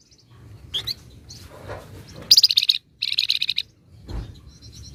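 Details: Busy, tight chattering from a flamboyan: scattered high chips build into two fast bursts of pulsed notes, broken by a short silence, with low hum and a thump underneath.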